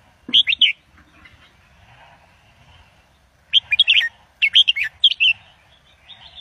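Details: Red-whiskered bulbul kept in a cage, singing Indo double style to tutor young birds and excite others: a short burst of three bright whistled notes, a quiet gap with faint twittering, then a longer run of lively, warbled phrases.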